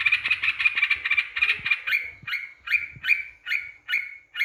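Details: Lure song of a yellow-vented bulbul, played to make rival birds angry: rapid bubbly chatter at first, then slowing into separate liquid, slightly rising phrases, each about half a second apart.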